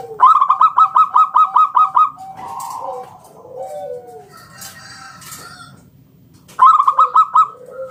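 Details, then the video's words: Zebra Dove of a local wild line in full song, ngalun 'kung bulat' style, meant to lure other doves to call: a rapid string of about eleven clipped, bright notes, a mumbled low interlude, then a fresh string begins. "Suara NGALUN Kung Bulat - Perkutut lokal gacor"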